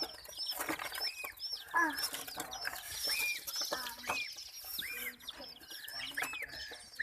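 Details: Chicks in fright as baby ducks and a puppy attack them give a steady stream of high, arched peeps, with a few louder, lower rounded chirps standing out.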